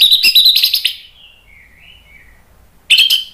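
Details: Orange-headed thrush singing loudly: a rapid run of sharp, high, chattering and whistled notes, then a quiet gap with a thin warbled trill, then another bright burst of high notes.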